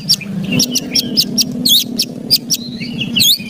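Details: Emotional ketrekan of a white-rumped shama, meant to goad quiet birds: short sharp rasping ticks repeated several times a second, mixed with thin high whistled notes, a faint hum underneath.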